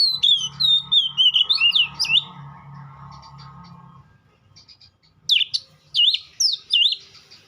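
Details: White-rumped shama delivering a stream of whistled, looping notes, then after a quiet stretch with a faint hum, a few louder separated swooping whistles.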